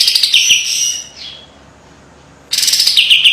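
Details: Brief burst of high, sharp white-eye (kapas tembak) song for song training: dense chattering trills, a pause, then another bright rapid phrase.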